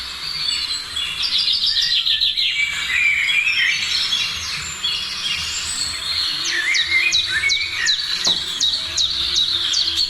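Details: Morning bird chorus: jumbled warbles and twitters at first, then a rapid string of sharp descending high chirps, with a steady low hum throughout.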